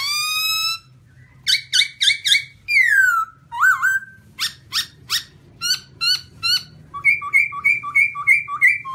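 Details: White-cheeked black-throated laughingthrush singing a varied series: a high whistled slide, sharp ringing notes in quick succession, a falling whistle, then a steady run of paired clear notes at the end.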